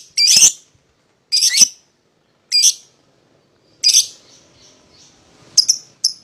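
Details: Lovebird pair, played to provoke a rival into singing: loud, harsh, shrill bursts repeated about every second and a quarter, then a few short sharp chirps at the end.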